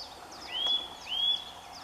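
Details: Eurasian nuthatch in sunshine, first days of March, giving two drawn-out whistles that rise and then hold steady, spaced about half a second apart, with faint high twitters from other birds behind.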